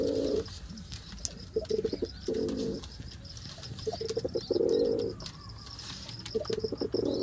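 Pigeon giving deep, throaty coos in short rolling bursts about every two seconds, with faint high chirps and a thin background hiss.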